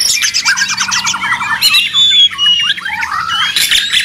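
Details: White-rumped shama in a noisy training recording for songbirds: a fast trilled run, then looping whistles, sliding clear notes and harsh squawky bursts follow in quick succession.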